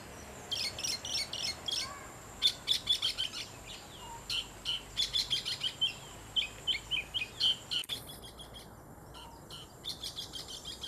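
An Oriental magpie-robin sings quick, varied runs of bright, high whistled and chirping notes, several per second, over a soft steady hiss.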